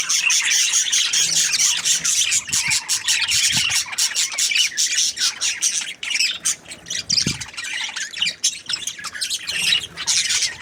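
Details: Several budgerigars chirping and squawking together, a dense continuous chatter of high scratchy notes and short squawks with no pause, and a few low thumps in the background.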